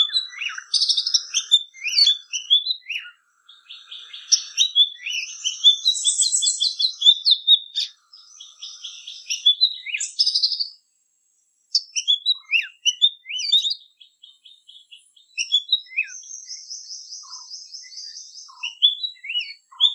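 An Oriental magpie-robin sings a rich, varied song of sweet whistles, chirps and buzzy trills.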